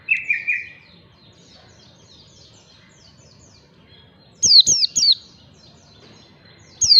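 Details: White-eye lure song for training birds, ngalas style: opens with a brief buzzy trill, then faint high chirps, a long quiet gap, and bursts of loud, sharp, down-slurred twittering notes near the end.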